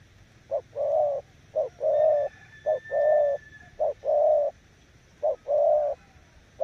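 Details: 'Gù' coos of a spotted dove used as a decoy: a clipped low note, then a longer rolling hoarse note, in rhythmic pairs roughly every second, with a faint steady high tone behind.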